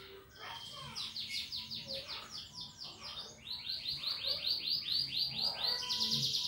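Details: Canary singing a lively 'ngetik' ticking-style song used to prompt other birds to sing: rapid rolls of repeated high arched notes, several per second, in two long bursts with a brief pause, over faint low background murmur.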